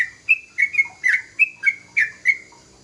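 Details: Sooty-headed bulbul, young, producing loud whistled notes about three times a second, each a brief flat or downslurred tone with a buzzy onset, plus a few lower soft notes between them.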